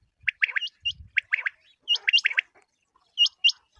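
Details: Common quail calling, used as a hunting lure: short bright chirps and upward-hooked notes in quick pairs and clusters, separated by brief silences, with a faint low thump near the start.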